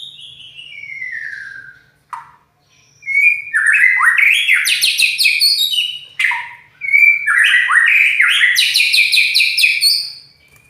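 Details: White-rumped shama with a loud, harsh voice: a falling whistle, a brief pause, then two long bursts of rapid, buzzy, stepwise-rising phrases with scratchy high overtones.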